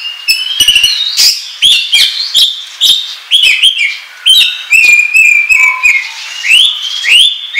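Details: Oriental magpie-robin song used to lure birds for trapping: rapid sequences of whistled slurs, many rising sharply, mixed with clicks and short buzzy notes, delivered in quick bursts for nearly eight seconds.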